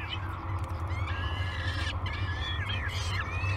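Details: Young peregrine falcons calling for breakfast at the Great Spirit Bluff nest on 22 May 2020, giving drawn-out, wavering harsh notes in quick succession against a constant low electrical hum.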